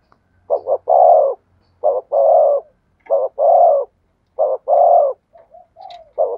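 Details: Spotted dove sings thổ sấm-style cooing, four deep booming phrases in a steady series, each a short hoot or double hoot followed by a long resonant coo, then soft trailing notes before the next phrase.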